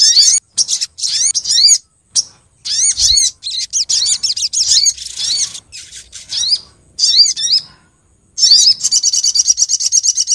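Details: Female Brown-throated Sunbird calling the male, a lure sound for trapping small birds: long sequences of very high, thin chirps, many sweeping sharply upward, broken by short pauses and ending in a dense, buzzy trill.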